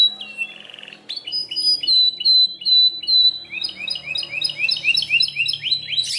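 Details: Belgian canary in song: a soft low trill, then sustained whistled notes repeated several times, followed by fast rising chirps in quick succession; a faint low hum underneath.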